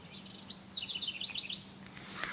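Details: A wren, heard constantly in June near a pond among elm trees, gives a quick bubbling run of high tumbling notes lasting about a second over a low steady hum, with faint outdoor noise and other chirps, possibly crow and robin.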